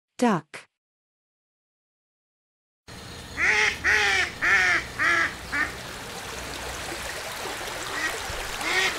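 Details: Duck: a short spoken word, then a silence, then a run of about five loud, nasal quacks in quick succession. Softer quacking and a steady background hiss follow.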